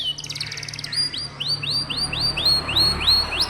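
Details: Canary song used to prompt young canaries that rarely sing. A quick rattling burst gives way to a steady series of about ten clear upswept whistles, evenly repeated.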